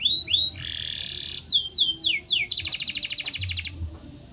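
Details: A canary in full breeding condition sings high whistled notes and quick falling sweeps, then a steady buzzy note and a long, fast rolling trill of about a dozen notes per second.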